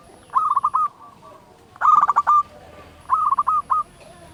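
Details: Loud, vigorous local zebra dove singing, used as a lure to stir other doves into song: three short phrases of quick staccato cooing notes, each ending in a drawn-out coo, spaced about a second apart.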